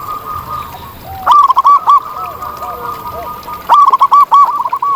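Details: Local zebra doves in the wild. Two strong phrases, each a sharp opening click then four or five trilled coos, rise above softer overlapping calls from other doves.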